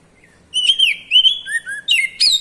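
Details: Singing Oriental magpie-robin (kacer), ngeplong style with 'cier' notes: long sliding whistles, a pair of lower dropping notes, then quick sharp upslurred chips, loud and clean against silence.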